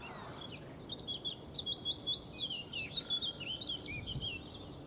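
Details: Eurasian Blackcap singing in the background while a White Stork forages in Neerijnen, the Netherlands; a fast, varied warble of bright high notes in quick bursts, continuous through the recording over faint low background noise.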